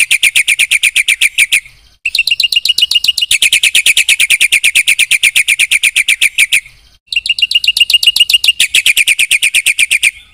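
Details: Rapid buzzy trills from a Black-winged myna singing gacor with isian, notes repeated about four per second in long runs broken by short pauses.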